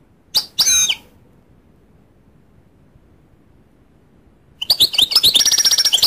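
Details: Goldfinch song: a quick pair of bright high notes, a long silent pause, then a fast, liquid, tinkling twitter of rapidly repeated notes that carries on to the end.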